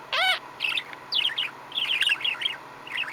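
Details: Male pet budgerigar in contented chatter: a loud looping whistled squeak opens, followed by fast burbling warbled twitters rising and falling.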